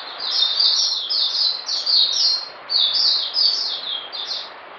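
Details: High-pitched song of a caged oriental white-eye: clustered, slurred descending whistles in quick bursts, rising and falling in loudness, over a hissing background.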